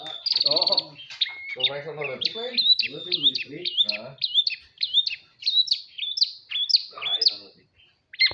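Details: Caged Madura long-tailed shrike opening with a fast buzzy trill, then a long run of quick, sharp whistled notes that rise and fall, repeated several times a second, with men speaking over the first half.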